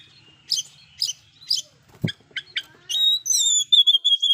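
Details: Oriental magpie-robin singing loudly with fill-in phrases that provoke rivals; three evenly spaced chipping notes, a brief thump, quick ticks, then long high sustained whistles and fast clipped notes.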